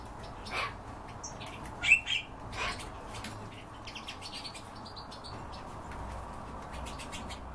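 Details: European bee-eater calls: a clear, fairly loud, short trilled note near the two-second mark, followed by fainter brief high notes, set against background hum and scattered clicks.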